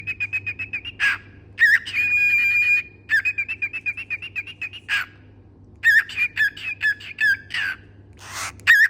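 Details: Pet parrot singing: rapid trilled whistles on a steady pitch, a long pure held note, then repeated short chirping whistle phrases mixed with rough bursts, over a low background hum.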